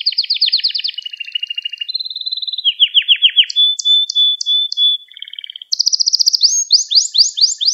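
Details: Canary song, recorded for training young canaries: successive tours of rapid trills at changing pitches, a long thin whistle with spaced chirps, then fast rising sweeping notes.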